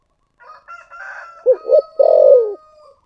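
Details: Spotted dove song of the thổ sấm style: a thin steady whistle-like tone and scratchy notes lead into two quick hollow coos and a long, loud descending coo.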